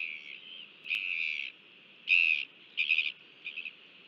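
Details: Royal albatross in New Zealand, a father (GLY) feeding its chick on 5 February 2023: high, squeaky whistled notes in five short bursts over four seconds, some wavering, over a steady background hiss.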